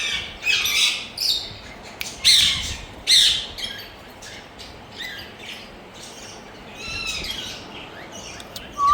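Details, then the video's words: Pet rose-ringed parakeet from India giving sharp, loud screech bursts at the start, then quieter scattered chattering and soft calls, and a final rising whistled note. "Parrots Miya Mithuuu🍁2026 Funny Relaxing Sounds🎀"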